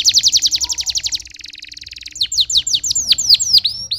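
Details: Canary song opening with a rapid series of descending chirps, shifting to a buzzy high trill, then sharp downward-swept notes repeated several times per second.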